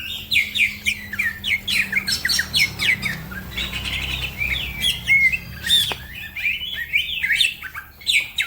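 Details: Green leafbird (cucak ijo) in energetic masteran song, with other birds also singing. Fast bursts of sharp chirps and slurred whistles alternate with brief quieter stretches.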